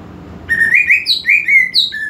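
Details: Greater green leafbird song used to provoke aggression in a less aggressive bird: loud, clear whistled phrases, slurred and rising, with a few higher sweeping notes, over faint low background noise.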